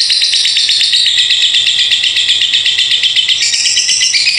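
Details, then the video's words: Lovebird singing a long ngekek konslet song: an unbroken, high, rapid chattering trill of fast repeated notes, about four a second, that stays steady and then shifts slightly higher near the end. "LOVEBIRD NGEKEK KONSLET PANJANG"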